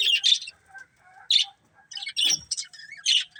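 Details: Budgies of a breeding pair giving short, separate chirps and squeaks, spaced apart by silences, with one louder buzzy note near the end.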